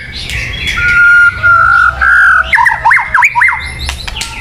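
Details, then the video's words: White-rumped shama song for luring birds: long, steady mid-pitched whistles, then a rapid zigzag series of rising and falling notes, with clicks. "Suara Burung Murai Batu yang paling baik untuk pikat"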